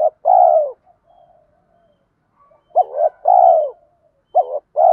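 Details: Spotted dove decoy urging 'thúc gù' calls meant to rouse other doves: the tail of one long falling coo, then a complete phrase of stuttered double note and drawn-out descending hoot, and another phrase beginning.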